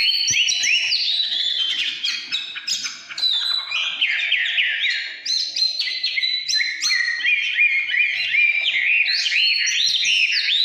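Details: Oriental magpie-robin delivering 'căn lửa' song, a varied sequence of rapid rising and falling whistled notes, about three per second, with brief pauses and faint clicks.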